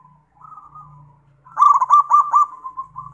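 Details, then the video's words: Zebra dove in active song: a soft rippling phrase, a brief pause, then a loud pulsed coo of five throbbing notes trailing into a gentle fading trill, with a low hum throughout. "PERKUTUT GACOR"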